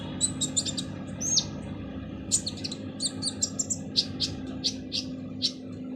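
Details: Rough-voiced Van Hasselt's sunbird song used to teach other birds: jumbled high chirps and twitters, then a regular sequence of sharp clicking ticks about every half second, with a steady low hum underneath.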